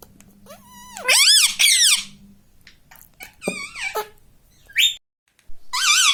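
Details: Pet rose-ringed parakeet talking indoors, saying "mummy": two loud arching squeaky syllables, then softer varied chirps and a short squeak, ending with another shrill phrase.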